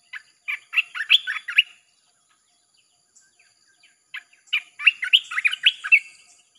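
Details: Red-whiskered bulbul from a cage, its nonstop song used as a lure for wild birds: two lively phrases of fast, rolling warbled notes, a quiet gap between them.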